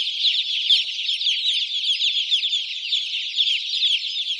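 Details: A crowd of baby chicks peeping at once in the farmyard, their high, quick, down-slurred chirps blurring into a constant shrill chatter.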